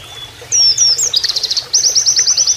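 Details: Oriental white-eye giving a canary-like training-master song, with added flowing water: high thin whistled slurs, then a rapid burst of repeated sharp notes and a fast, even, canary-style trill.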